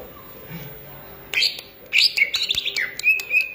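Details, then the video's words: After a quiet opening, a green leafbird from Indonesia breaks into loud, jumbled whistles and sharp chirps, ending with two level whistled notes. "cucak ijo gacor manteb banget"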